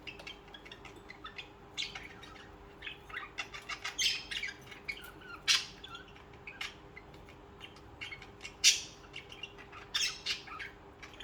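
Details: Budgerigars singing and chirping as social pet birds; continuous busy warbling chatter of short high notes with sharper squawks every few seconds.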